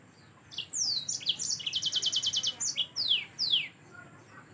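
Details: A yellow-fronted canary sings a lively high phrase: scattered chirps, a rapid run of about ten even repeated notes, then two clear downward-slurred whistles, with faint background hum.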